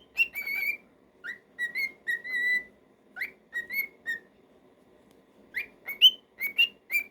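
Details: Pet male cockatiel singing: bright whistled notes, some sliding upward, grouped into short phrases with brief gaps, over a low steady background hum.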